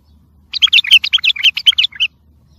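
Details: A bulbul's song meant for training young birds and spurring them to sing: a brisk, rolling series of clear chirped and whistled notes lasting about one and a half seconds, loud and close, otherwise quiet.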